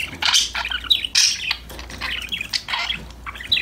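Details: Several pet budgerigars playing and talking to each other, giving bursts of bright, scratchy warbled chirps and short squawks that overlap in quick succession, with brief pauses between busy phrases.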